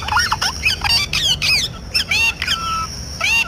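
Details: Parrot calling in a natural setting: a run of harsh squawks and short whistled, bending notes with rising and falling harmonics, several calls back to back with brief gaps.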